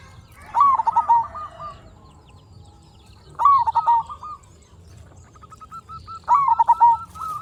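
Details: Singing local zebra dove kept as a lure to stir other zebra doves into answering: three separate coos, each a sharp upward note followed by a fast, slightly falling trill, spaced about three seconds apart, with faint trilling in between.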